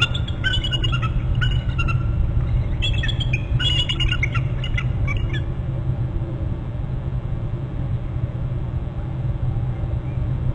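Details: Bald eagle at its nest on Hornby Island, heard on a nest and territory camera: bursts of high, thin, rapidly repeated piping notes in the first five seconds, then quiet, over a constant low wind rumble.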